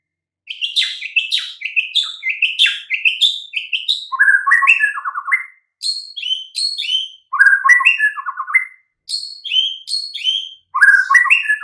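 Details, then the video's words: White-rumped shama song used as training master for silent, sluggish birds: continuous varied phrases of bright whistles and stacked chirps, dropping into lower rattling trills, repeated in bursts separated by brief gaps. "Nggak butuh waktu lama Murai Batu BISU & LOYO langsung NYAUT Seketika dengan MASTERAN Ini"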